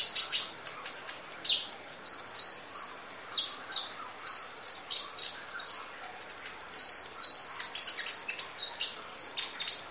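Van Hasselt's sunbird singing a rapid, very high stream of thin chirps, sharp ticks and brief twittering trills, with barely a pause between phrases.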